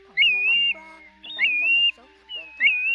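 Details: Night-trapping lure of Pacific golden plover during August 2024 migration: three loud whistled calls, each rising sharply then holding a wavering level tone, roughly once every 1.2 seconds, over a faint steady low drone.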